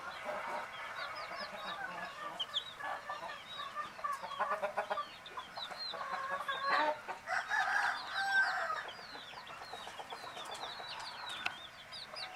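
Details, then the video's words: Baby chicks of a hen, sleeping, give many soft, high, rising-falling peeps, overlapping in a quiet, continuous chorus with no clear rhythm. "Fun Sleepy "Chicks Chirping" Sound of Gallina Babies"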